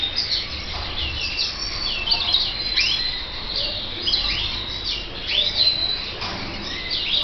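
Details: Red mosaic canary chicks from the 2014/2015 season give a steady, overlapping chorus of thin, high chirps and short rising squeaks, several birds calling at once with no pauses.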